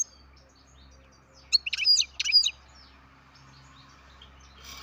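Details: Captive-bred baby European goldfinch: two short bursts of bright, buzzy chirps high in pitch, each about a third of a second, close together in an otherwise quiet room with a faint low hum.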